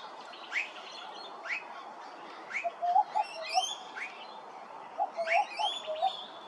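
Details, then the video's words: Young blue-faced honeyeater recorded at Hervey Bay, Queensland: a series of upslurred piping notes about once a second, joined midway by lower soft clucking notes in short bursts. "Blue -faced Honeyeater (Immature)"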